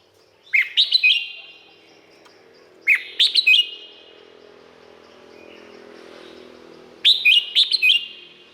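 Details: Red-whiskered bulbul from Thailand, song used for training birds or getting them excited: three short bright phrases of liquid, warbled whistles with quick upslurs and downslurs, spaced a few seconds apart, each trailing a faint ringing echo in a quiet setting.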